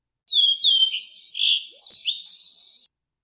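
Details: Blue-and-white flycatcher song: a single phrase of about 2.5 seconds, clear whistled notes sliding downward, then a brief harsher buzzy ending, clean quiet background.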